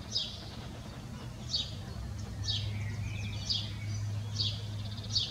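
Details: A house sparrow on a neighbour's roof, apparently with a lot to say, gives short, bright chirps about once a second over a steady low rumble of distant traffic; finding: House sparrow.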